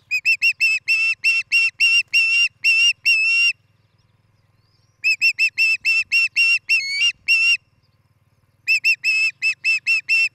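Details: An osprey at its Montana nest near Charlo, one of a nest-building pair, on a summer morning in 2018: three bursts of rapid, shrill whistled chirps, one note sliding upward, separated by short silences.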